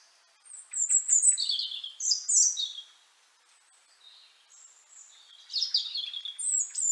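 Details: European robin singing in Liepāja, Latvia, in January 2023: high, thin, tinkling phrases that rise and fall, two bursts of quick, varied warbling notes separated by a quiet pause.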